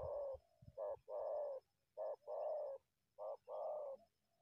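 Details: Spotted dove, wild, leaving bushes to go after a decoy, calling in steady hoarse coos: a brief note followed by a drawn-out rolling coo, three phrases in quick succession over a quiet background.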